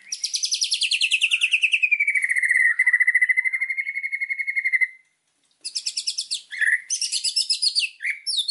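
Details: Energetic white-rumped shama song for training birds: a long buzzy rattling trill sliding downward and then held steady, a brief pause, then bursts of harsh high rattles and chatter.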